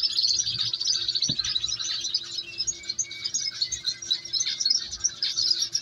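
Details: Canary chicks at feeding time, filling the air with dense, continuous high-pitched chirping and rapid peeping, with a few thin whistled notes threaded through the middle.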